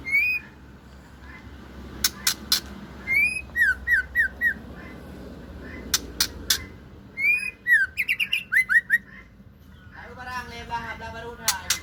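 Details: Female Aceh white-rumped shama singing loud, clear whistles: rising slurred notes and quick runs of four or five descending whistles, separated by sharp clicks, ending in a harsh, rasping chatter.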